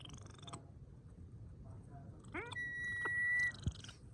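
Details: A Brahminy kite enduring intense seasonal heat gives one drawn-out, thin, level whistle of about a second after a brief wavering note, with people talking quietly in the background.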